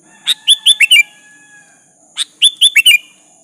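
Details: A sooty-headed bulbul gives two lively phrases of five clear, slightly descending whistled notes to call out a rival; a steady electronic-like whine runs underneath.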